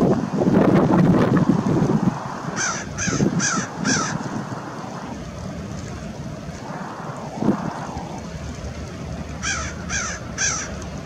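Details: American Oystercatcher at Fort Monroe, Virginia, March 15, 2019, giving loud, ringing whistled calls in two bursts of three, over low wind rumble and background noise.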